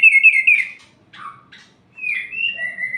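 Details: Night song of an orange-headed thrush, used to provoke rival males: a warbled whistled phrase, a short pause with a couple of soft downslurred notes, then a second rich whistled phrase.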